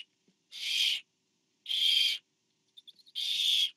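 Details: Barn owl at a nest as a parent delivers food to an owlet, September; three harsh, breathy hissing screeches of about half a second each, with faint ticking notes between the second and third.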